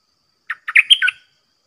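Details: Red-whiskered bulbul kept in a cage, taken out to compete with wild birds, delivers one quick phrase of five warbled, whistled notes climbing to a bright peak, then falling, in a quiet setting.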